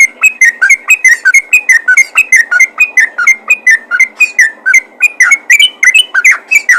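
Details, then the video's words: Yellow-vented bulbul calling to other bulbuls with a loud, steady stream of crisp whistled notes, nearly thirty in under seven seconds, swinging between a higher and a slightly lower pitch. "panggilan burung trucukan ropel gacor memanggil trucukan lain"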